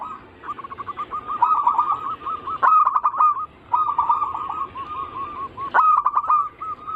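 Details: Zebra dove cooing, used as a lure to prompt other doves to sing: long series of rapid, repeated mid-pitched cooing notes running in bursts with brief pauses, some notes clipped and harsh.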